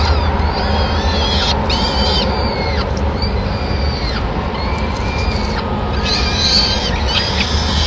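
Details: Peregrine falcons at a Madrid nest on 26 April 2016, as the male brings the first food of the day, a small bird, to feed all the chicks; arched, harmonic whining calls come in spaced bursts over a steady low traffic rumble.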